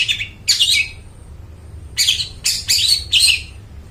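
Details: Long-tailed shrike in lively full song, used as a lure to get mute shrikes singing: two harsh, buzzy bursts, then a quick run of four rasping, scratchy notes after a short pause, over faint low background hum.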